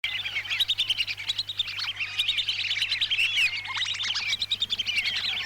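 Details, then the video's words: Lesser whistling ducks from Lampung, Indonesia, in a recording played as a lure to trap them: a dense chorus of high, thin whistled chirps and squeaky notes overlapping continuously, with a steady low electrical hum beneath. "Pikat burung blibis"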